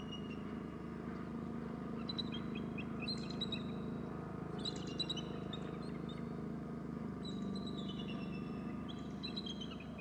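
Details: Bald eagle calling at the nest. Four bursts of high, thin chittering notes, each falling slightly in pitch. A steady low hum runs underneath throughout.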